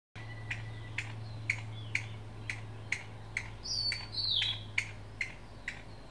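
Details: A single Chinese bamboo partridge at Qingjing, Nantou, Taiwan, on 6 July 2017 gives sharp, clipped alarm notes about twice a second. A thin falling whistle from another bird and a steady low hum sound behind it.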